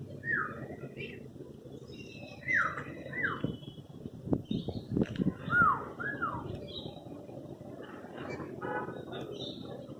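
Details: African grey parrot (Psittacus erithacus) at Dhauladhar Nature Park, Dharamshala, talking: short arched whistles and voice-like sounds, possibly "hello" and "cuckoo" imitations, a few every couple of seconds, over a low rumble with occasional knocks.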